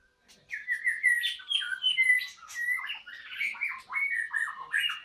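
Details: A white-rumped shama sings at a breeding site, a quieter continuous run of clear whistled notes and short warbles that rise and fall, with some faint high chips.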